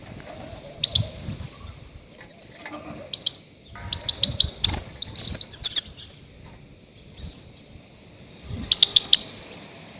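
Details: Loud goldfinch calls played to lure and catch grey-headed goldfinches: bright, high, clipped chirps in short bursts, densest midway and again near the end, with brief quiet gaps and faint low background noise.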